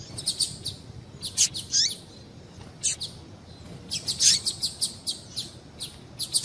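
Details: A female double-collared seedeater's high piping call notes, meant to get males singing: irregular short chirps, a couple of downward-sliding notes, and a tight cluster of chirps midway, over soft background noise.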